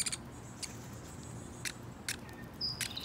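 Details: A downy woodpecker, an adult male with his talkative fledgling being hand-fed suet, gives four short, sharp high notes spaced irregularly over three seconds, with faint thin whistles in the background.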